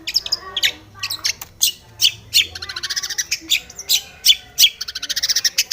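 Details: Aggressive Long-tailed shrike singing at a rival, its song full of varied fill phrases: harsh squawky bursts mixed with rapid high chattering runs, uneven in rhythm and dense throughout.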